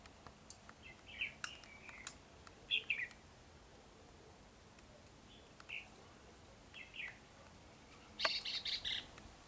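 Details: Red-whiskered bulbul giving short, well-spaced whistled phrases with bright, slurred notes, a few sharp clicks between them and a louder, brighter burst near the end.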